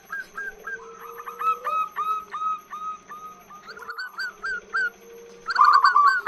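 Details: Female zebra dove giving a long call used as a lure to attract males: series of short hooked cooing notes, repeated rapidly in bursts, with a lower drawn-out tone beneath and brief pauses between phrases.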